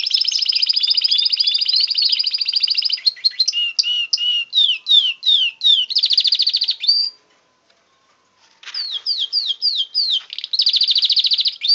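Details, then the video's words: Pet canary singing vigorously with long fast high trills, series of sharp downswept whistled notes and rolling runs, a brief silent pause, then more swept notes and trills. "My best canary singing his heart out."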